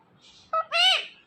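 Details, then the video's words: A talking ringneck parrot says a two-part, word-like utterance: a short clipped note, then a longer harsh, nasal syllable bending up and down, with the word "Kim" repeated before and after. "This Ringneck Parrot Talking Is Epic"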